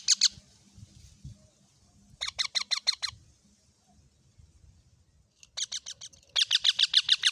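A parrot gives harsh, scratchy squawks in quick bursts of five or six, each burst separated by a pause of a second or two, over a faint low background hum.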